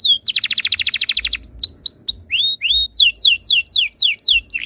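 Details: Tutor canary song for prompting other canaries: a fast, even rattling trill over a second long, followed by upswept whistles and a run of falling slurred notes.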